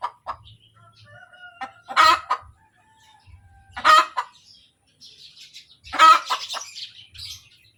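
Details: ['Hen cackling after laying an egg, loud rasping squawks roughly every two seconds, each trailed by a few clipped clucks, with quiet chirps and soft clucking in the gaps.']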